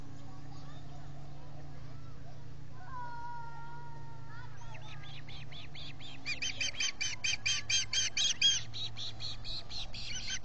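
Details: Ospreys at a nest in the Finger Lakes, US, with three at the nest, recorded 19 July 2021 by a solar nest camera; a steady whistle from another source comes first, then a rapid string of loud, clipped piping chirps repeated about twice a second.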